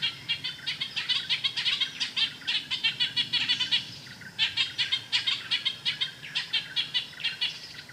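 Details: Ochraceous Bulbul in Thailand, from a xeno-canto recording: a continuous harsh, rasping chatter of buzzy notes, roughly three a second, in long runs with a short break midway.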